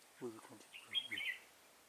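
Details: Red-whiskered bulbul, decoy bird used for trapping an old wild bulbul on 24 September 2018; a quick sweet warbling phrase with a high whistled note, overlapping a man's low voice speaking nearby.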